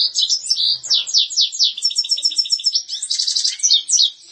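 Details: European goldfinch singing a rapid, bright twittering run of high chirps and trills, notes tumbling several per second with buzzy, liquid flourishes, steady and unbroken throughout.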